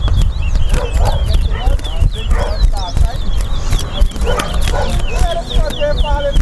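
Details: Caged towa towa singing in a bird singing race at the Lamaha and Vlissengen Road bird ground in Guyana: quick high whistled slurred phrases repeated throughout, over constant loud crowd chatter and a man counting aloud.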